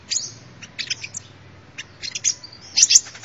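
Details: Sunbird song used as a lure: a few clusters of high, thin, squeaky twitters separated by short pauses, the last cluster the loudest.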